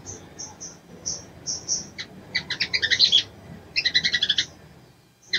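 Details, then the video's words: A female sogon calls to excite a male: a few thin whistled notes first, then quick stuttering chirp series rising in loudness, and a final rapid rattle of high chips. "SOGON BETINA MEMANGGIL JANTAN‼️SANGAT AMPUH MERANGSANG BIRAHI SOGON JANTAN"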